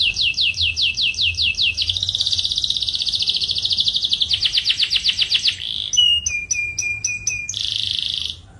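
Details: Dark-coloured male canary singing loudly: fast rolling trills of rapid repeated notes, then a buzzy sustained roll, a series of sharp clipped chips in quick succession, and a final bright rattling trill, with almost no background noise.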